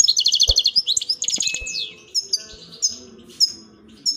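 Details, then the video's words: A European goldfinch sings a fast, tinkling twitter of high liquid notes that thins after two seconds into scattered bright chirps, with a few soft knocks in the background. "نغمة طائر الحسون"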